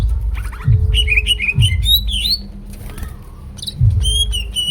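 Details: Singing greater green leafbird with a full repertoire: a quick stuttering chatter, then tumbling warbled phrases and sharp, repeated high whistles. Low thumping pulses recur irregularly beneath.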